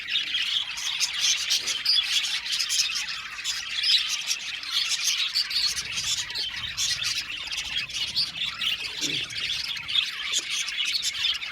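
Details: Many budgies in an aviary colony calling together: a steady stream of bright chirps, harsh squawks and warbled twitters, thick and unbroken throughout.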